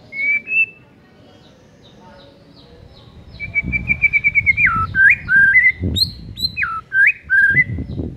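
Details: Caged white-rumped shama, provoked to sing: a quick trill of even repeated notes, then loud whistled phrases that swoop down and back up, with high sharp notes mixed in and low background rumbles.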